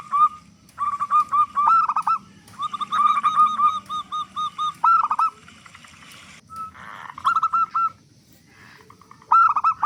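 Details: Big-voiced local zebra dove singing often, meant as a lure to set other doves calling: phrases of quick staccato coos, several voices overlapping, with brief silent gaps between bursts.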